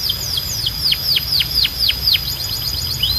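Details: Canary (Serinus canaria), song.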